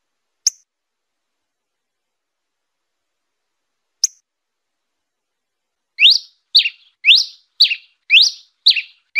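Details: Red-crested (red pileated) finch giving fluted song: two lone high chips, then a quick run of about seven bright, swooping whistled notes, roughly two per second, in quiet surroundings.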